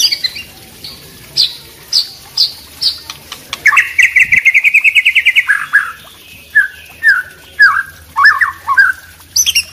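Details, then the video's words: White-rumped shama of the Wambi type, in a combined recording with trickling water: spaced high chirps, then a fast buzzy trill of repeated notes, followed by slurred whistled phrases repeated about twice a second over a steady water rush. "suara kombinasi murai batu wambi dan trucuk ropel kemricik air"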